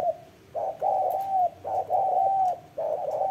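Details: Spotted dove giving an intense run of cooing: steady, mellow, drawn-out coos in short groups with brief pauses between, over a soft hum.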